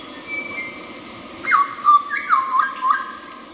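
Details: Wild hooded butcherbird singing sweetly, a quick sequence of whistled notes that step down and bounce between two pitches, over a steady high insect drone.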